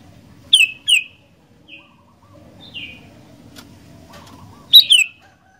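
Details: Sooty-headed bulbul singing: two quick descending whistles, softer short notes in between, then a final loud double whistle slurring downward; faint clicks and low background noise.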